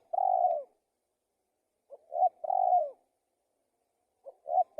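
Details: Spotted dove repeating its coo phrase about every two seconds, each a brief soft lead-in, a rising coo and a long throaty falling coo, with silence between phrases.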